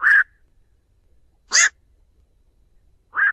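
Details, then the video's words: Black-crowned night heron flock call for luring, with no other noise: three short croaks about one and a half seconds apart, the middle one harsher and more rasping than the rounder outer two. "Tiếng Vạc gọi bầy"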